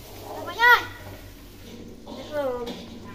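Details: Tame hill myna imitating spoken Islamic greetings such as assalamualaikum and waalaikumsalam; two clear voice-like syllables with rising then falling tone, separated by a pause, over low background hum.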